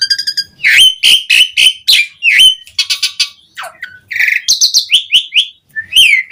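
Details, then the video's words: Asian pied starling in full varied song meant to call other starlings, mixing buzzy harsh notes, clear whistled slurs and short rapid repeated chirps in quick succession, with a brief pause near the end. "Suara Jalak Suren Gacor Memanggil Burung Jalak Jarang Bunyi Seketika Nyaut Ikut Gacor Full Isian"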